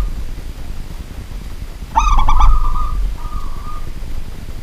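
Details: Zebra dove, a local kept bird, calling at night: one burst of quick staccato coos running into a level cooing note, then a short softer coo, with a low background hum.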